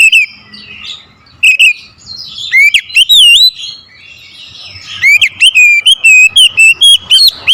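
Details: Provoked oriental magpie-robin singing aggressively at a rival, giving loud clear whistles that swoop up and down, short burst early then a long fast run of wavy notes toward the end.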